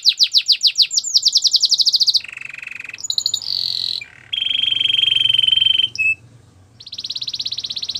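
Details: Belgian canary warming up its song to prepare for females, moving through varied passages: fast pulsing rolls, sustained buzzy high trills, lower steady tours and short pauses between phrases, all loud and clear.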